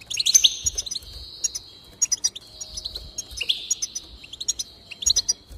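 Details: A goldfinch sings to prompt singing: liquid, twittering phrases that start with a few sharp chirps and flow into long, buzzy, wheezing trills, repeated about every one and a half seconds, with quick clicking notes in between.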